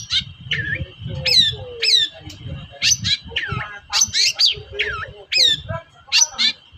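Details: Long-tailed shrike singing in a lure recording for shrikes that sing poorly: varied sweeping whistles, downslurred and upslurred notes and scratchy phrases delivered continuously, with a low rumbling background and a steady high tone.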